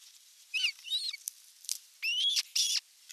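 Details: Evening feeding at an osprey nest on 30 June 2022, nest camera: a quieter, jumbled run of thin chirps and short whistled notes, ending in two louder drawn-out rising whistles.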